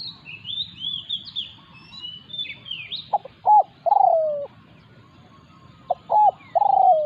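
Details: Spotted doves clash as a wild resident bird challenges a decoy. High, busy twittering from other birds comes first, then two coo phrases of quick clipped notes and a long, falling, slightly rough croo.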